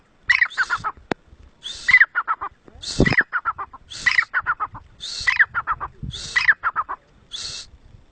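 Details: Black francolin, the kala teeter of Mianwali, Pakistan, calling in a harsh, grating phrase of several rapid scratchy notes, repeated about every second through the recording, with faint low thumps in the background.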